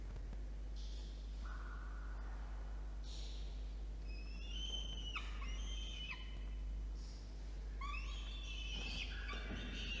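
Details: Nest-box camera in Orange, New South Wales, Australia, evening of 5 November 2021: a peregrine falcon chick begs while an adult male delivers food, giving repeated harsh, wavering, harmonic wails, several ending in abrupt falls, irregularly spaced over a constant low mechanical hum.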